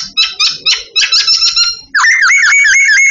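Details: A babbler being trained sings a rapid string of harsh, buzzy repeated notes. Next comes a continuous high, wavering whistle that rises and dips several times.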